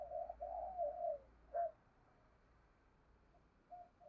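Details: Spotted dove decoy, thổ-style voice. A run of low hoarse coos opens, then a short knock, a long quiet gap and two faint closing coos over steady background hiss.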